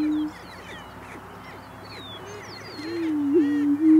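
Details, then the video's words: Greater prairie-chickens booming in Missouri while displaying and fighting to attract mates: low, hollow, moaning booms, a steady hooting tone that swells near the end, with thin chirps and whistles from other birds. "Prairie-Chickens Booming"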